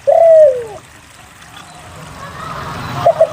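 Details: Spotted dove singing as a lure to get quiet doves calling. One long, smooth coo slides downward, followed after a pause by two soft short notes.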